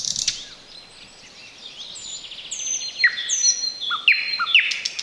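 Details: Thrush Nightingale (Luscinia luscinia) singing close by, unseen in bushes near a road in the Chornobyl Exclusion Zone, 2020: a varied phrase of high, thin whistles and sharp downslurred notes in quick bursts over faint hiss.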